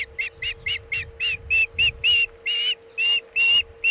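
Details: Osprey on a Chesapeake nest, 27 August 2019, 2:26 pm EDT, with a bluefish tail delivered. Short whistled chirps repeat rapidly, then grow louder and longer toward the end. A steady background hum and soft low rumbling accompany them.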